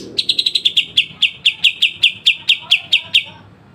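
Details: Pied triller chipping song for songbird training: a quickening then slowing series of bright, clipped high notes at one pitch, with faint low background sounds.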